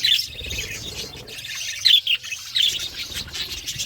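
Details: Budgerigar flock feeding together, high chirping chatter with a few louder sharp chirps standing out near the middle and end over a steady background of warbles.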